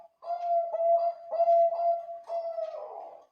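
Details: Bangkok zebra dove singing loudly as a lure for other doves: low, resonant coos stretched into longer notes, three phrases with brief breaks, the last fading into a rougher trill.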